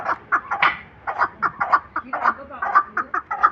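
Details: Chukar, a hunting partridge, utters a string of clucking, throaty notes roughly twice a second, steady and unhurried.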